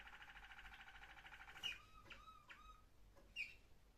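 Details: Waterslager Malinois canary, 21 December 2025: a soft, low, rolling trill of rapid pulses, then a few short, falling whistled notes, punctuated by two sharp clicks over a quiet indoor hum.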